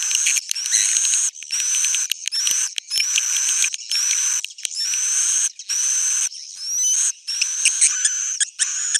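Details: Swiftlet roosting call used to attract swiftlets: dense, buzzy, high chattering bursts about one second long, separated by short gaps, with thin rising and falling whistles threaded through them.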